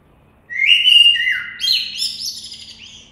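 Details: A loud, close blackbird phrase: a full, warbling whistle that dips in pitch, followed by a cascade of higher, thinner twittering notes that fades out.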